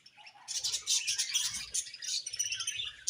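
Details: Budgerigars chirping: a dense chatter of high, scratchy warbles and quick chirps running almost continuously after a brief quiet start, with a sharp squeak at the end and faint low thumps beneath.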